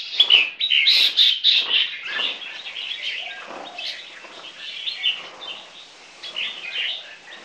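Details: A 10-month-old crossbred Red-whiskered bulbul from a champion bloodline sings lively, bubbly whistled phrases, repeated nearly twice a second, louder at first, then softer, with overlapping chatter from a second bird singing against it.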